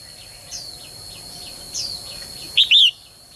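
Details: Female songbird giving a call to get males singing vigorously. Soft chirps and thin whistles from other birds fill most of the recording before one loud two-note chirp near the end, a short note then a longer arched whistle.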